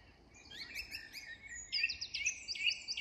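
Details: Song thrush singing in English woodland at dusk, a fast jumble of warbled notes followed by a crisp two-part phrase repeated three or four times, with faint birdsong behind.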